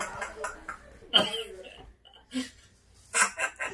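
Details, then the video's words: A pet parrot, just back from a vet visit, gives short, breathy, human-like laughing bursts with sharp hiccup-like notes, broken by brief pauses, while a person's voice is heard in the background. "A PARROT LAUGHING"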